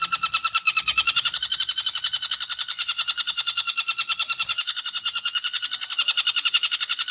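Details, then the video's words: Long-tailed shrike tutor recording, 'ngekek tembakan' style: an unbroken, very rapid nasal chatter of rich buzzy notes, about four per second, steady throughout, with faint low rumbles in the background. "MASTERAN BURUNG CENDET FULL NGEKEK TEMBAKAN"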